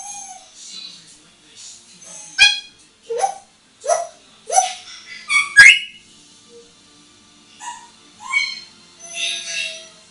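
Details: A hand-trained pet African grey parrot, a female aged eight and moulting slightly, having fun on a towel rail in the bathroom. She gives a run of rising whistled notes with sharp clicks, then softer chatter and bright, scratchy upper tones.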